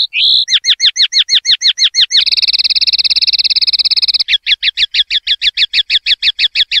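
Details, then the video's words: A common linnet (Linaria cannabina) sings a fast series of bright, twanging notes, then a steady buzzing trill for two seconds, then more quick repeated twangs, with no other sounds. "PARDILLO LIMPIO"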